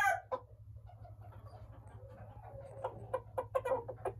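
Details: Broody black Japanese bantam hen, kept as a brood hen, gives soft low clucks that build into a run of short, sharper clucks toward the end, over a steady low electrical hum.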